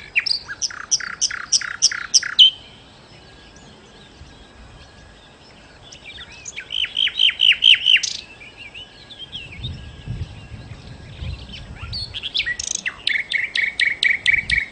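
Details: Nightingale singing lively, loud strophes: rapid series of repeated sharp notes, a pause, another stuttering series of downslurred notes, then a steady run of evenly spaced notes. Faint low rumble midway.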